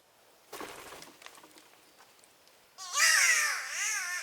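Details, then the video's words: Spotted catbird (Ailuroedus maculosus), a bowerbird-family species in Australia whose calls are likened to cat meows and yowls, giving a loud, harsh, nasal wail wavering up and down for over a second after a brief rustling crackle. "The weird sounds of Catbirds"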